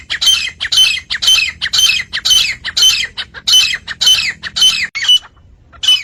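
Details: Iranian or Dhakni partridge (titar) call used to lure partridges for catching and hunting: loud harsh grating notes repeated about twice a second, steady for five seconds, with a brief pause before one last note.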